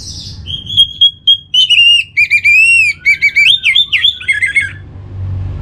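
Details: Orange-headed thrush song used as a lure for kept birds: a long varied phrase of clear whistles, arched slurs and rapid notes, building in loudness before trailing off, with little background noise.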